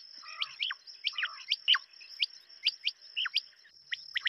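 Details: Quail giving sharp, downslurred chirping notes, many in quick pairs or triplets, spaced irregularly, over a steady high continuous tone.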